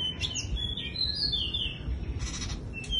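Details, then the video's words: Bush lark in wing-fluttering display, singing like a skylark: a continuous high, twittering warble of slurred whistles runs through, with a brief burst of scratchy notes near the end and low background hum. "Chòe Đất chơi rung cánh như sơn ca"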